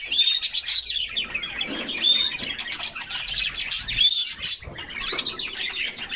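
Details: Group of canaries singing while splashing in a cool bath in summer: dense, continuous high twittering and warbling with short clear whistled notes and busy trills, almost no pauses.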